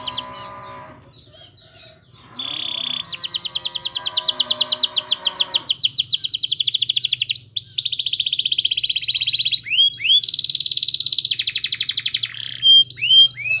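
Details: Energetic canary song as a master to get other canaries singing: a few chips and a low-pitched sound, then a long rapid high trill, swooping notes, a buzzy stretch and another fast trill with rising sweeps.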